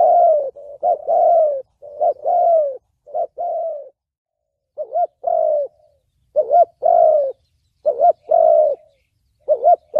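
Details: Cooing spotted dove in the thổ bầu style, a call for trapping and training decoys: repeated pairs of a brief wavering note and a longer falling coo, with short pauses between groups.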